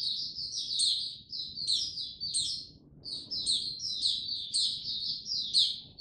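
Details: Male white-eye gaining confidence before opening up, 6 March 2022; lively high chirps come in quick strings with brief gaps, peppered with thin, piercing upward notes.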